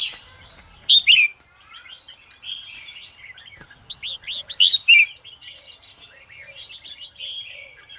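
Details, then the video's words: Red-whiskered bulbul morning ché song used to stimulate other birds: a loud, abrupt whistled phrase, a stretch of soft rippling notes, a second strong flourish, then quieter trailing warbles. "chào mào hót sáng QUÁ HAY - CHÉ KÍCH BỔI CĂNG ĐÉT"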